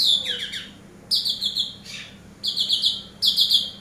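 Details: Eurasian tree sparrow used as a master bird for training, giving bursts of harsh, buzzy high chirps in tight groups, each burst lasting about half a second and repeated roughly every second against a quiet background hum.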